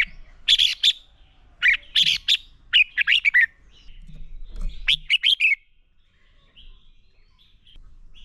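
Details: A red-whiskered bulbul fighting song, used to train birds, sounds as a lively series of loud, jumbled chirping phrases. Several rapid groups of slurred whistles come over about six seconds, followed by faint warbles.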